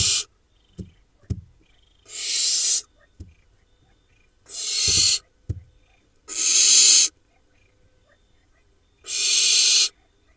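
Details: Barn owl nestlings preening in a nest box in the Hula Valley, Israel, on 7 July 2021, about a month after hatching, give harsh, breathy hisses under a second long, four in ten seconds, with soft thumps and rustles between.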